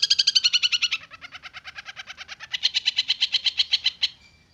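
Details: Young tamed long-tailed shrike from the wild, now singing often, delivers a long fast rattle of repeated harsh notes that dips quieter midway, then swells louder before fading.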